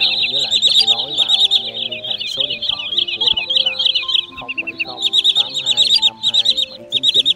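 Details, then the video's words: Common Greenshank and sandpiper calls for night netting of migrating birds, August 2023: thick flurries of shrill repeated piping, set against music with held notes and some speech. "Tiếng Choắt Bụng Trắng , Rẽ Hôi Bẫy Lưới Đêm Chim Di Cư"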